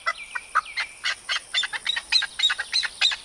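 An Arabian partridge gives harsh, clucking chuck notes, about three or four a second, in a rough, uneven run that slowly grows more ringing.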